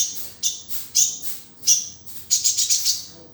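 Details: Sunbird song used as a tutor recording for training other cage birds: thin, very high chirps and short trilled bursts in quick clusters, separated by brief pauses.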